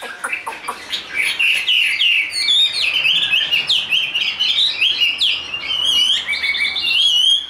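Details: Chinese hwamei, a tame, large-built bird offered by a dealer, in fighting display, singing a loud, continuous run of rich, varied whistled phrases with quick slurred notes, trills and sharp rising and falling sweeps, almost without pause throughout.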